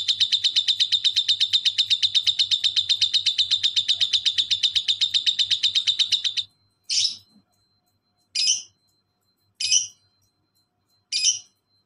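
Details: Lovebird singing ngekek as a master recording, a relaxed then fast, tight style meant to make silent birds answer: a long, rapid chattering trill of about six seconds, then four separate harsh, buzzy chirps with short pauses between.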